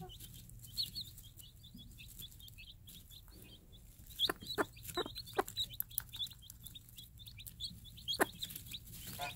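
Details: Day-old chicks of a free-range game hen peep in a dense stream of high rising notes while the mother gives short low clucks, calling them to food.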